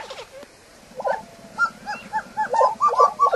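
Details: Lesser prairie-chicken giving quick, yelping, gobbling notes that build from scattered single clucks into a dense, rapid cackling series in the final second, with a low steady hum underneath.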